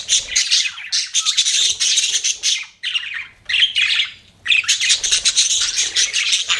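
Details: Budgerigars kept as pets chatter in loud, scratchy warbled phrases, three dense bursts separated by brief quiet gaps.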